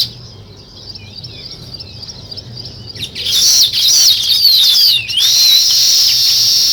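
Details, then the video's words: Weaver birds at work on their nests: a few faint, thin chirps at first, then a sudden burst of loud, busy, high twittering and squeaky gliding notes after three seconds. "Natural Sparrow Chirping Sounds | Weaver Birds Building Nest"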